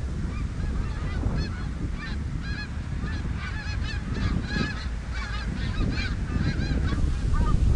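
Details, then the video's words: Flock of snow geese on the Richelieu River in a loud continuous chorus of barking, nasal honks, many birds calling at once in rapid overlapping bursts, with a low rumble underneath. "Snow greese on Richelieu r"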